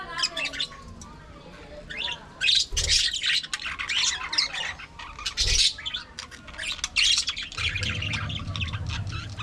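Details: Budgerigars, or parakeets, kept in an aviary colony, chattering: dense, continuous high warbling and scratchy squawks from several birds at once, with a few louder harsh outbursts and a low hum late on.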